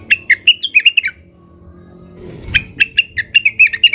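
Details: Cucak wilis, the Blue-winged leafbird, worked up and calling rivals: a rapid run of sharp, shifting chirps, a pause with a soft thud, then a second similar chattering burst.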